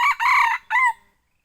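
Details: Lure call of a young red junglefowl at Bukit Tinggi: a loud, raspy crow, with a short opening note, a longer drawn middle and a falling final syllable after a brief gap, then silence.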